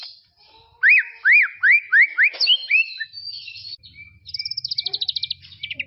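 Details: White-rumped shama song from tropical forest, used as master training sound for juveniles: loud series of arched whistled notes, then a fast buzzy high trill near the end with faint low hum.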